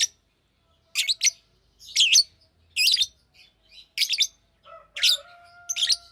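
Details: Green lovebird chirping: high, harsh, chattering chirps in clusters about a second apart, with a faint steady tone running under the later notes.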